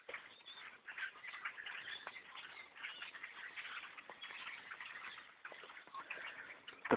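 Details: Black birds by the thousands overrun a bow hunter's tree stand; dense, scratchy chorus of countless overlapping chirps, ending in a sudden loud thump.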